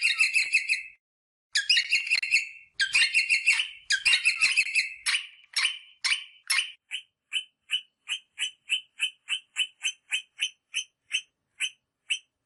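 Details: Rosella call for mating stimulation: grouped harsh chattering bursts at first, then a steady series of short clipped chirps repeated roughly every half second, evenly spaced until the end.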